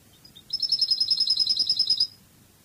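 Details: Cádiz-style song of a Spanish European goldfinch from a recorded CD: two faint chips lead into a fast, metallic trill of evenly repeated high notes lasting about one and a half seconds, on a quiet background.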